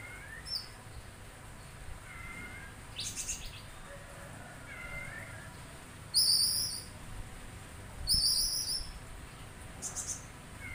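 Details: Oriental magpie-robin with a loose series of clear downslurred whistles and thin, piercing high notes, several louder chirpy bursts spaced about two seconds apart, a steady low hiss underneath.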